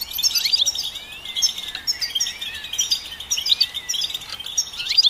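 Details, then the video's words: Continuous goldfinch twittering, busy and high-pitched, mixing sharp chirps with short wavering trills, almost without pause across the few seconds. "Goldfinch Song"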